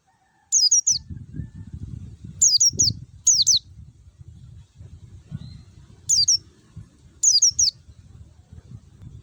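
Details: Forest white-eye lure song, clear and rich: brief clusters of high descending whistled notes at uneven intervals over a steady low background hum.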